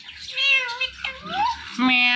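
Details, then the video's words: Talkative green pet parrot indoors giving drawn-out, meow-like harmonic calls, one sliding upward, with a low hum beneath. "Incredible Talkative Green Parrot"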